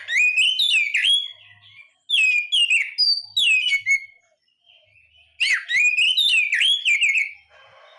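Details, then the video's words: Oriental magpie-robin (kacer) singing: loud, rich whistled phrases sweeping up and down with buzzy, scratchy notes, delivered in three bursts of about one and a half to two seconds, separated by short pauses, with no other clear sounds. "SUARA BURUNG KACER"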